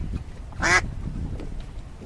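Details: Ducks swimming with ducklings in a pond: a single short, harsh nasal quack stands out briefly over low background rumble.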